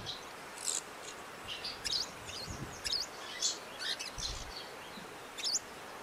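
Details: Eurasian crag martins under a bridge in Odemira, Portugal, while several start building cup-shaped nests; scattered high chirps and quick upslurred notes, faint against steady background noise.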